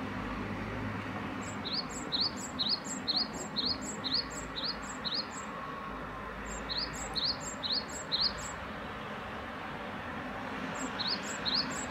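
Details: Great tit delivering three runs of quick paired notes, each a high sharp note followed by a lower rising whistle, rhythmically repeated, with a constant low hum of distant traffic underneath.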